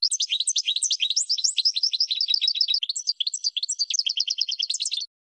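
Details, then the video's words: Goldfinch singing nonstop for birds to copy: a dense, fast, jangling twitter with overlapping high notes, easing into a cleaner repeated trill near the end. "Brilliant GOLDFINCH Song"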